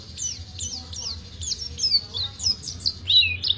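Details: Oriental white-eye of the Pacitan type singing a long ngriwik: fast, high, thin chirps, each sliding downward, given in quick runs with brief pauses and a quiet, steady background.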